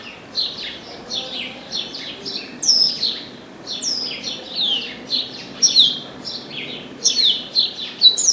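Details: Song of a chestnut-capped blackbird that landed in an orange tree: high, thin downward-slurred notes strung in rapid, steady series, interspersed with a few sharper whistled accents.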